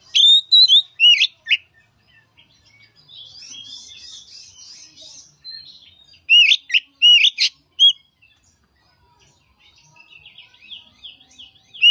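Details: Song of an Oriental magpie-robin, used as a lure for a reluctant singer: sharp whistled notes and clicks open, a softer buzzy warble follows, then another loud whistled burst and a faint trilling tail.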